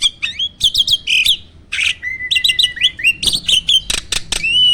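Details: Contest starling in captivity pours out a quick jumble of whistles and chatter, with a steady thin whistle in the middle and loud harsh bursts near the end.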